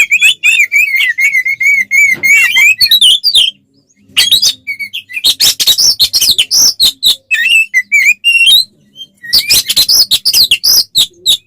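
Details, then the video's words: Oriental magpie-robin singing hard in fighting mode to provoke rival birds: a long run of quick whistled notes, then dense harsh buzzy phrases and mimicked chatter, with brief pauses, continuous and loud throughout. "SUARA BURUNG kacer gacor NGEPLONG TARUNG konslet paling AMPUH buat PANCINGAN KACER agar EMOSI"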